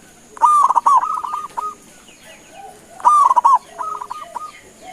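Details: Local zebra dove in full voice, calling to prompt replies from other doves: two loud trilling coo phrases, each trailing off into softer separate notes, against a continuous high-pitched hum.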